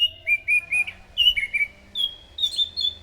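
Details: Orange-headed thrush song used as a lure to draw in other thrushes: a loud run of clear whistled phrases, short slurred notes falling then rising higher toward the end, delivered in quick succession.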